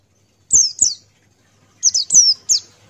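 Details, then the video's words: Energetic male Buxtoni white-eye song: two quick, thin, falling notes, a pause of about a second, then three more similar high downslurred chirps in fast succession. "Masteran Pleci Buxtoni Ngalas Buka Paruh"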